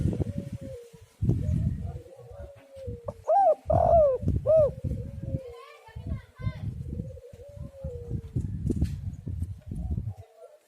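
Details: Spotted dove (tekukur or derkuku) calling as a lure for other doves: soft level coos, then a burst of three or four louder, bent coo notes midway, with steady low thumping noise throughout.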